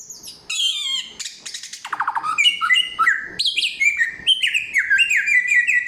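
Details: Loud, clear samyong song of many voices: high chattering notes and fast trills, then a steady string of clipped, down-sliding whistles.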